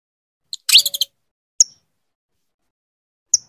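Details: Calling female saffron finch, trying to bring her mate into breeding: one rising chattering burst, then two isolated sharp high chips spaced nearly two seconds apart.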